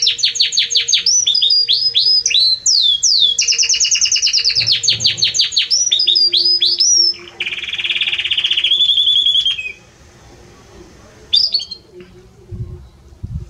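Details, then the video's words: Loud, warm Belgian canary song full of rapid rolling trills and swept whistles, shifting into a buzzy, lower sustained trill before fading to near silence with one short final chirp. "Canto forte e muito quente deste Espetacular Canário Belga | Canary Singing"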